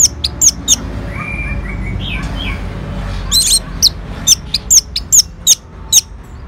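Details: Responding to a lure sound, an orange-headed thrush gives thin, very high, sharp notes repeated about twice a second, with a soft lower warbling phrase midway and steady background hum.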